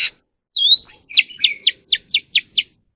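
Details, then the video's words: Captive Oriental magpie-robin song played for voice training: a rising drawn-out whistle followed by a rapid run of about seven sharp, evenly spaced downslurred notes, roughly four a second, clear and loud. "kacer alam | choè than luyện giọng || Choè than kích bổi ra giọng เสียงนกกางเขนบ้าน"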